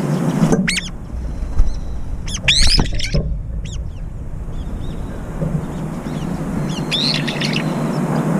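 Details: Brown-eared bulbuls in an aerial fight over food. A few loud, harsh, high screeches and a short cluster of overlapping squeals early on, then quieter calls amid continuous low background rumble.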